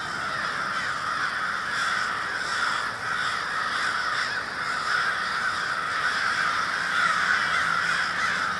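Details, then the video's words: A large group of crows calling together in Minneapolis, Minnesota, February 20, 2020, makes a continuous, rasping wall of overlapping caws with no clear pauses. "A Murder of Crows"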